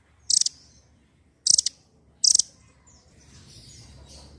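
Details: Velvet-fronted nuthatch, known locally as rambatan doraemon, a captive bird whose calls are used to prompt silent birds to sing: three short, loud, high trilled bursts about a second apart, then faint background noise.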